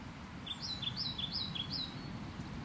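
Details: European pied flycatcher giving a short run of four or five high, up-and-down slurred notes at a steady pace, fairly distant, over a constant low rumble of background noise.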